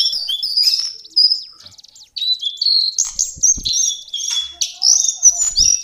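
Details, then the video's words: High, fluent warbling by a lesser shortwing (jongkangan coklat), used as a tutor song: whistled phrases and sharp chips, a short quiet gap near two seconds, then a busier run of twittering notes and trills. "Master Pancingan Burung cingcoang/jongkangan coklat"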